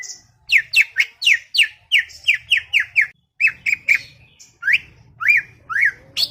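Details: Greater green leafbird (cucak ijo), described as chattering, repeating swooping whistled notes that fall then level off, about two to three per second, followed by a few rising slurs; low hum beneath.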